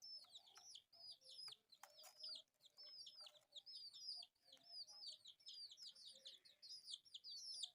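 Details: Four colourful pet chicks chatter in dense, shrill peeps, strongly curved notes repeated rapidly, mixed with frequent pecking taps and clicks.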